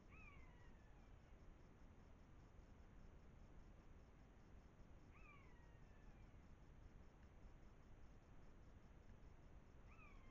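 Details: Common buzzards (Buteo buteo) squabbling in front of a wildlife camera in the Eifel, Germany, in September 2024. Drawn-out, downslurred mewing calls with clear overtones, three cries spaced about four to five seconds apart, over a steady background hiss.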